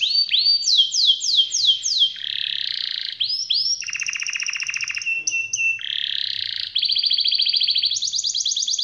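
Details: Varied canary song: a run of sharp rising swoops, buzzy rattles, a lower rapid trill, brief high pips, then an even, fast trill at a high pitch to finish.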